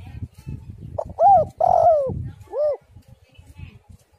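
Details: Female spotted dove call, used as a lure to get other doves calling: a short coo, then an arched coo and a long, drawn-out falling coo, a pause, and one more arched coo, over a low rumbling background.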